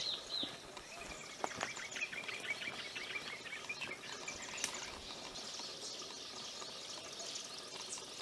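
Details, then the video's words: Common babbler singing near Udaipur, Rajasthan, India: a busy, jumbled, quick run of high, thin chirps and twitters over a steady outdoor hiss. "The Sweet Singing Babbler"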